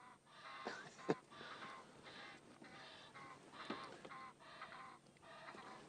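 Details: A pair of Egyptian geese in a morning exchange near sunrise trades harsh, wheezy honks, about eight rasping bursts in quick succession, with one sharp click early on; commentator jokes the female makes the call while the male hushes.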